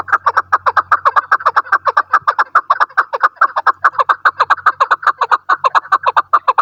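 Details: Chukar partridge used as a hunting decoy, giving a long, steady run of hoarse chuk notes, about two or three per second, kept up for nearly seven seconds without pause.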